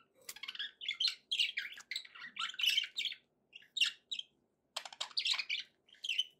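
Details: Happy pet budgies giving dense runs of harsh chirps, squawks and warbling notes in quick bursts, with brief quiet gaps between phrases.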